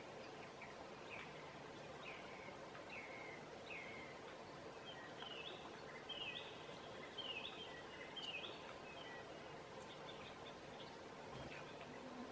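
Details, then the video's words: Song thrush singing through the night at midsummer in Southern Savonia, Finland: clear whistled phrases, each short motif repeated two or three times before switching, roughly one note per second, over a steady low background hiss. "Song Thrush sings through the night"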